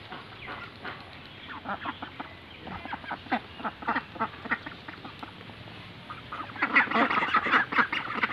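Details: White Pekin ducks on a duck farm: a flock quacking in a steady jumble of overlapping harsh calls, growing louder and denser toward the end, over a constant background hiss.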